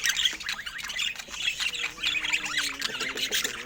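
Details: Several budgerigars, described as rare and filmed in natural Scandinavian light, keep up a continuous busy warbling chatter of squeaks and chirps, with one brief steady low whistled note midway.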